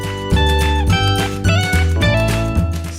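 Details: Plucked guitar music with strummed chords and a deep bass line, and no animal voice heard.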